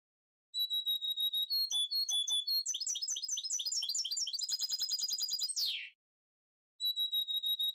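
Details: Recently moulted goldfinch mule (goldfinch hybrid) song: steady high whistled notes, then a rush of fast twittering trills ending in a downward sweep. After a short pause the whistles resume.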